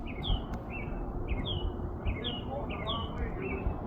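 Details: American robin singing its evening song in April in Minnesota, USA, near a house awning where it may nest; short whistled caroling phrases repeat about twice a second, with a person speaking briefly and a low background rumble.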